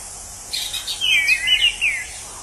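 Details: A single slurred, wavering whistled phrase from a wild orange-headed thrush, whose song is likened to a drunken person, with a faint softer note before it and a constant high insect hiss.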